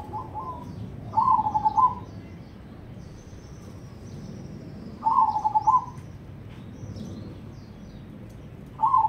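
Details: Zebra dove (perkutut), cemani-coloured crossing bird, in full Ketekdobel rhythm: short bursts of fast, trilled cooing notes recur about every four seconds, with faint high chirps of other birds in between.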